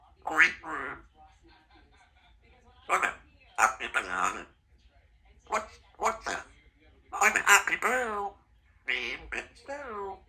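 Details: A talkative two-year-old female Congo African grey parrot, kept as a pet in a country home, mimics human speech. She gives six short spoken phrases in separate bursts with quiet pauses between them, indoors.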